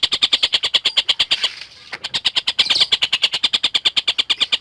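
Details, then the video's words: Collared kingfisher singing, a lovebird tutor recording: quick rasping notes repeated about three per second, broken by a short quiet gap and a scratchy flutter before the steady series resumes. "Burung Tengkek Buto Gacor"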